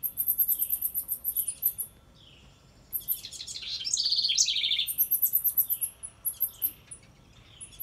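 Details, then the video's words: A wren by a birdhouse: rapid series of very high ticking notes, a pause, then a rich burst of trilling, followed again by quick high notes repeated several times a second. "Listen close & you can hear the wren say she likes this house"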